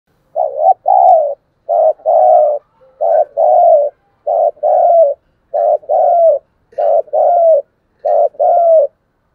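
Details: Spotted dove cooing, played to stir captive birds into cooing: low hoarse coo phrases, each a short note followed by a longer, slightly falling one, repeated steadily about every second with clean silence between.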